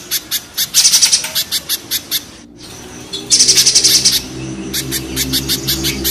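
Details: Spiderhunter, 'pijantung gunung' set against 'pijantung pisang', gives rapid piercing high chips that swell into a dense buzzy flurry, pause briefly in the middle, then resume with a loud burst and more spaced chips.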